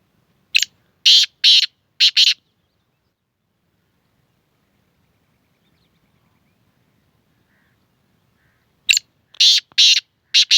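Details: A black francolin gives a grating, rhythmic phrase of about five short harsh bursts, falls silent for roughly six seconds, then repeats the same scratchy phrase. Faint low rumbling sounds in between.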